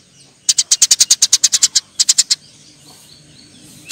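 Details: Fighting Eurasian tree sparrow giving a fast run of about fifteen high, clipped chirps, then a short burst of four, followed by quiet.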